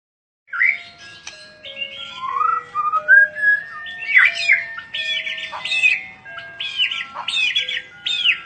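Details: White-rumped shama of the Medan type with mottled (blorok) plumage, called exotic: varied clear whistles, some rising and some level, then a run of looping warbled phrases repeated toward the end.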